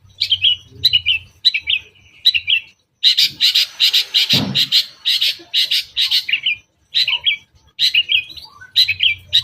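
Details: Lure song of a long-tailed shrike in the "toet toet" style with filler phrases, meant to draw other shrikes. Paired high chips repeat steadily, then give way to a long buzzy rattling run, with one low thump midway.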